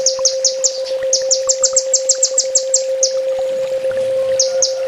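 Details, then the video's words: Sunbird training master song: bright, high chirps repeated in fast, even series of six to ten notes with short gaps, a constant low hum underneath. "Suara masteran burung kolibri ninja full tembak"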